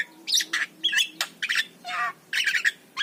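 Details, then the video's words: Javan myna song meant to prompt reluctant mynas into singing: harsh chattering squawks, raspy buzzes and short whistled notes tumbling in fast uneven bursts, with a faint steady hum behind. "ORIGINAL SUARA JALAK KEBO"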